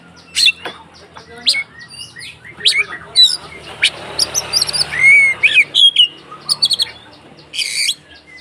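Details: Oriental magpie-robin in agitated fighting song, used as a lure to provoke other magpie-robins: a rapid mix of sharp high whistles, downslurred notes and harsh scratchy bursts in irregular clusters, with a faint low hum behind.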